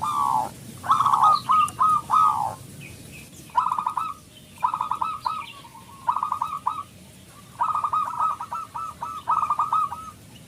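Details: Local zebra dove, loud and vocal, played as a lure to stir other doves: repeated bursts of rapid hollow coo notes, each burst about a second long, separated by short pauses.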